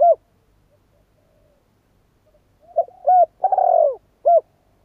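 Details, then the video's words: After a final coo and a long quiet gap, a spotted dove delivers a phrase: soft lead-in notes, a clear coo, a long rasping descending purr and a closing short coo. The setting is otherwise silent. "CHIM CU GÁY"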